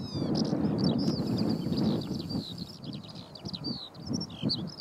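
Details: Over Brandon Heath a Eurasian skylark sings in flight, pouring out fast, high, twittering and warbled notes without pause, above a low background rumble.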